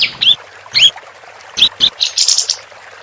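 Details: Female capped white-eye in full voice, a recording used for tutoring contest songbirds: a few sharp, high rising chirps separated by short gaps, ending in a quick run of bright twittering notes.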